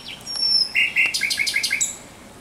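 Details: Thrush nightingale song at night, 17 May 2023: thin high whistles lead into a short series of sharp, repeated clicking notes in one brief phrase.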